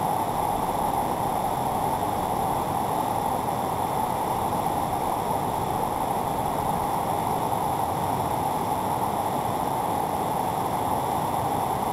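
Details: Steady rushing water, like a fast stream, with no bird or other animal calls rising above the flow.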